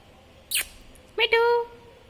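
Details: Pet parrot talking: a short sharp burst, then after a pause a drawn-out voiced sound with rich harmonics, rising slightly and then held steady before fading, in a quiet room.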